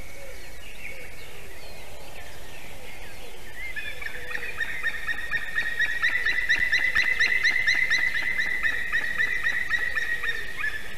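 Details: White-tailed eagles (Haliaeetus albicilla), a breeding pair at a nest in Durbe, Latvia, late morning on 15 May 2021: the female calls first, then the male, a rapid run of yelping, chattering notes building into a dense barking series as they visit the nest.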